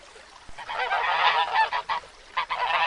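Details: White domestic goose on a farm, giving harsh nasal honks in fast overlapping bursts that start after a brief quiet moment and continue with short pauses between noisy runs.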